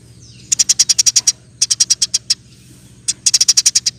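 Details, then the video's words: Eurasian tree sparrow tutor recording for training songbirds: three fast runs of bright, high chirps, each run of about six to nine notes, separated by brief silences. "Burung gereja gacor. Roll tembak pas untuk masteran"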